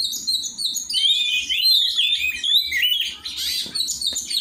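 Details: Oriental magpie-robin (kacer) during song training with other kacer birds: sweet, wavering whistles and quick high chirps, with a harsher burst of notes near the end.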